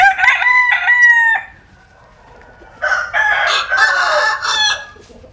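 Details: In the Mekong Delta countryside of Vietnam, one rooster gives a clear, stepped crow, a brief quiet gap follows, then a louder, broken crow in several bursts.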